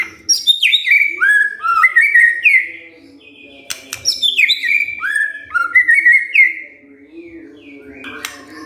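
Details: Provoked white-rumped shama answering in full song: rich varied whistles sliding down through the register, bright chirps and rapid flourishes in two bursts separated by a short pause, with a low hum underneath.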